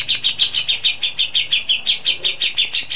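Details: Grey-cheeked bulbul (cucak jenggot), a steady, frequent singer with fill-ins of besetan, lovebird, sparrow and cililin, delivering an even series of about fifteen loud, high, slightly buzzy chirps at a brisk pace.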